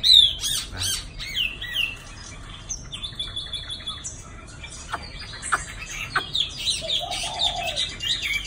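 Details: Moulting caged Chinese hwamei from Dinh Cong, Hanoi, about two seasons old, gives sharp chipping notes mixed with short whistled slurs and a few longer held tones, with quieter pauses between bursts.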